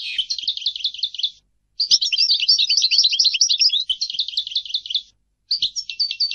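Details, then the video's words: European goldfinch singing: rapid, liquid twittering of tinkling notes in long runs, broken by two short pauses, with faint low taps in the background. "Goldfinch singing - canto del cardellino"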